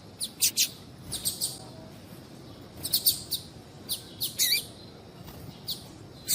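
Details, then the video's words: Female double-collared seedeater calling, used by breeders to get a cold male singing: soft high chips in pairs and small groups, irregularly spaced, over faint hiss. "fêmea de papa capim chamando"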